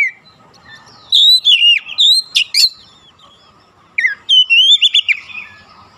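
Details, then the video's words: Provoking song of an oriental magpie-robin, aimed at stirring other magpie-robins: two bursts of fluid, wavering whistles with quick sharp accents, separated by a brief pause. "PANCINGAN AMPUH KACER APAPUN DIJAMIN LANGSUNG NGOTOT KONSLET"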